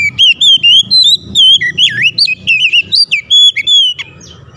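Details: Oriental magpie-robin pouring out loud song meant to trigger other magpie-robins to sing. Continuous quick-fire whistles slide and loop between mid and high pitch, some notes long and drawn, ending abruptly in soft rustling.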